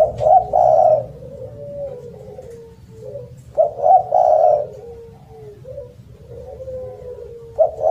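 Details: Spotted dove giving a loud, melodious call: low mellow coos in groups, each burst followed by a drawn-out falling note and a quieter pause, repeating about every three and a half seconds.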